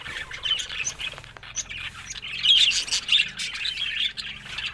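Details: Softer budgie twittering with a few clearer high whistled chirps standing out over a background murmur of warbles.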